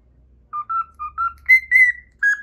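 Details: After a moment of low hum, a pet cockatiel whistles part of the Pythagora Switch opening theme: four short notes stepping upward, then two long, bright falling whistles and a lower closing note.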